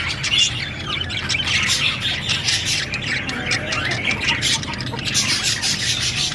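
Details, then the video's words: Budgies chattering continuously, a busy mix of harsh squawks and quick twittering notes with no pauses, over a low background hum. "Beautiful budgie parrot chirping sound"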